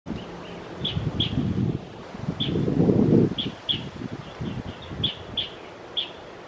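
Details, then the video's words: Asian brown flycatcher moving between trees in Metropolitan Park, Taichung City, Taiwan, on 28 December 2021, giving short, thin, high chirps, several per second in loose bursts, over low rustling and wind noise. "Asian Brown Flycatcher chirping in tree"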